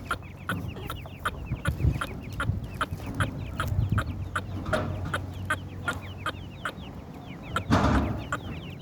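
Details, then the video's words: Many partridge chicks give thin, high, quickly repeated peeps, overlapping at once, with sharp clicking knocks and a steady low hum beneath. "partridge Chicks bird voice,teetr kr awaaz"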